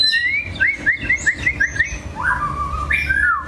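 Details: White-rumped shama, long-tailed, singing a varied song of quick whistled notes repeated in a series of short rising slurs, then longer sustained clear whistles sliding down; steady low background hum.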